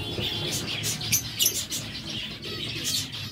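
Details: Zebra finches kept in a breeding setup: rapid, overlapping high chirps and short nasal beeps from several birds, fast and uneven, with a low background rumble.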